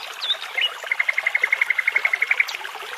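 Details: Near a babbling brook in forest, a nightingale gives a couple of sweeping whistles, then a clear, evenly spaced run of pure repeated piping notes, around seven a second, over soft running water.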